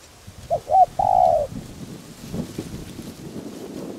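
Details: Captive spotted dove decoy of 'đồng' voice calling to lure wild doves. A single phrase of two short notes and a long coo is followed by low rustling noise.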